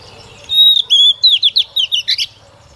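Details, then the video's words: Decoy female Oriental magpie-robin singing to prompt males to sing. It gives a short, loud phrase of sweet whistles: a sustained opening note, then a quick run of about ten bright, slurred notes, rising and falling, over a faint low background hum. "Chòe Than Mái mồi hót cực hay kích trống mở mỏ"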